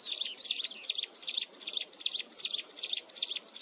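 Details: Piercing, nonstop song of a mountain wren heard close up: high, bright double-toned notes repeated very regularly, about two and a half each second, with a steady rhythm throughout.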